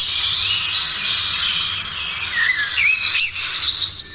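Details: Dawn chorus of birds, steady high twittering with a few clear slurred whistles rising and falling near the end.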